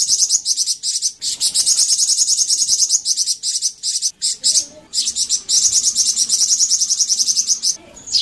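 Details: A flamboyan bird in full song sings a fast, very high, sizzling twitter in long unbroken runs, pausing briefly every few seconds before starting again.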